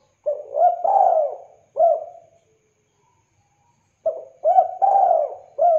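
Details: Spotted dove suited for luring and tutoring other birds, cooing a short note, a long rolling coo and a clipped ending note, then after a pause of about two seconds repeating the same low three-part phrase clearly.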